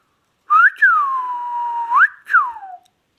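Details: Indian ringneck parakeet, a tame talking parrot, producing a tonal whistled phrase: brief upslur, drawn-out descending and sustained note, sharp rise, then a falling slur trailing off low; quiet indoor setting.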